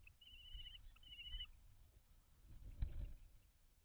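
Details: At a common kestrel nest box in May 2023, around a food transfer of mice: two drawn-out quavering whines in the first second and a half, followed by low rumbling and a single clunk inside the box.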